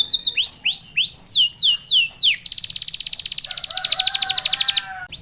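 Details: Singing canary, a champion bird used to provoke other canaries into song, gives several hooked whistled notes about twice a second, then a loud, rapid, even trill lasting over two seconds with a lower underlying tone, ending in a brief note.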